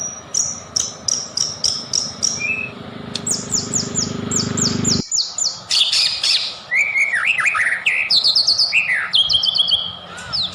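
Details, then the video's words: Vigorous white-rumped shama song, played as a lure to make shamas sing: rapid series of repeated high downslurred notes, chattering bursts and fast rising whistled phrases, over a low drone that cuts off midway. "PANCINGAN MURAI BATU,SUPER GACOR"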